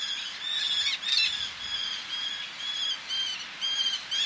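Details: Near male Eleonora's falcon, females calling from nearby ledges by the sea: a steady string of drawn-out, harsh, nasal whining notes, evenly spaced, with surf behind.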